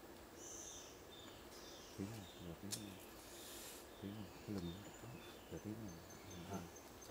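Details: Nicobar pigeon on Côn Đảo, Vietnam, giving low, deep grunting coos in short bursts of two or three, about once a second, with faint higher bird chirps and background hiss.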